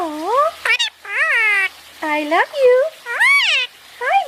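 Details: {'caption': 'Indian ringneck parakeet talking as it basks: a string of swooping, nasal, voice-like syllables, some rising sharply and others arching, with brief pauses between phrases.'}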